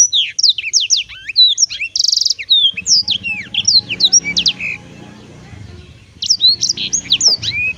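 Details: Black-throated canary singing rapid high chirps and whistled slurs, including a brief buzzy note, then a pause with a low background rumble before the song resumes.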